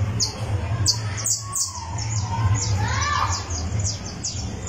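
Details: Criollo canary on a tournament perch, warming up its song: rapid, very high, thin notes repeated in a quick series. A lower sliding whistle rises and falls near the end, with a loud low hum throughout.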